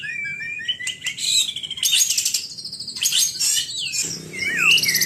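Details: White-rumped shama pouring out a rich, varied song of loud whistles, slurred rising and falling notes and fast high twittering phrases, almost continuous.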